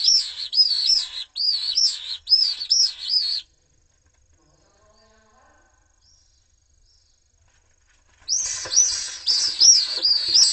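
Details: Pallid swifts fighting over a nest in Jerez: shrill, buzzy screaming trills in rapid repeated bursts, a loud run of about three seconds, then a silent pause, then another burst of screams.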